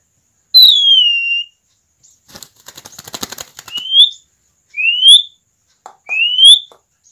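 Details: Asian pied starling in full, relaxed song, used as a lure to prompt young starlings to start singing: a clear descending whistle, a buzzy chattering rattle, then three loud rising whistled notes about a second apart.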